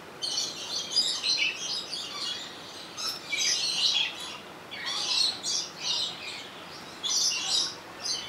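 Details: Rainbow lorikeet kept at Opole Zoo, taped on a Sony HDR-XR160E: loud, shrill squealing bursts arrive in uneven groups roughly every second or two, with quieter chattering between.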